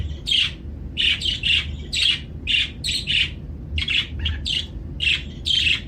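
A budgerigar chatters in quick bursts of scratchy, high chirps and warbles.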